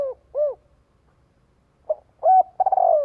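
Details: Spotted dove calling to lure and gather others. A short note, a long level coo, a loud rolling purr that slides downward, and arched single coos, all mid-pitched and clean with no other sounds.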